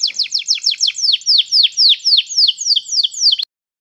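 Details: Canary song for training another canary to sing: a steady series of about fourteen descending whistled sweeps, each sliding down from high to lower pitch, ending with a sharp click.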